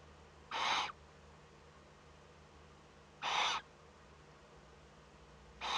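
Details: Eurasian eagle-owl chick in a nest watched by webcam in northern Rhineland-Palatinate, Germany, 15 May 2013, first contact. Short rasping hisses repeat roughly every two and a half seconds, with near silence between them.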